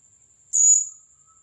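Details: A newly bought, caged blue-crowned hanging parrot kept as a decoy bird gives one sharp, very high, thin note lasting about a third of a second, over a faint steady high hiss.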